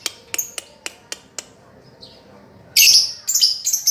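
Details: Lovebird master song for teaching a lovebird that has gone silent: a series of sharp ticking clicks, then a loud shrill chattering burst with whistled high notes.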